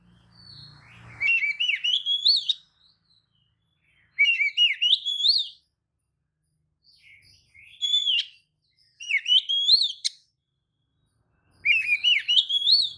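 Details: Provoking lure song of an Oriental magpie-robin, played so other magpie-robins answer, agitated and fanning their tails: five or six loud, buzzy, upward-sweeping whistled phrases, each about a second long, repeated every two to three seconds with silent gaps.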